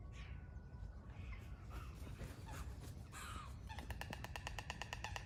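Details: White storks clattering at dawn in Vondelpark, Amsterdam, 2022, many storks gathering as an early-morning wake-up call; a fast, even, wooden rattle of sharp clicks fills the final second and a half, after mixed calls of other birds over steady low rumble.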